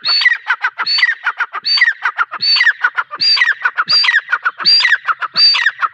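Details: Female grey francolin giving a continuous loud series of harsh phrases, each a high shrill note followed by a quick tumble of lower clipped notes, repeating about every second with no other sounds.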